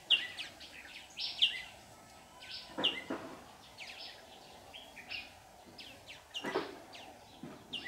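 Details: Red-whiskered bulbul decoy calling birds toward a trap on 15 July 2019; scattered sharp chirps and short whistled notes with pauses between, plus a couple of low knocks.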